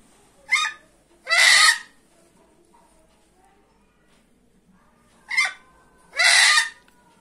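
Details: Female red junglefowl giving two harsh, raspy squawks, a short note then a longer drawn-out one, repeated about five seconds later over a quiet background.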